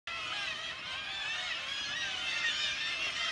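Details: Kittiwake colony on the sea cliffs at St Abbs Nature Reserve: a dense, continuous din of harsh, nasal, overlapping calls from many birds, with a faint wash of wind or surf beneath.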